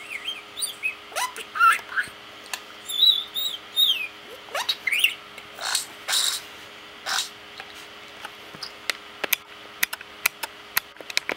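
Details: Pet parakeet talking to himself: a string of quick warbled chirps and squeaky rising and falling notes in bursts, followed by sharp clicks and short ticking sounds as the chatter trails off.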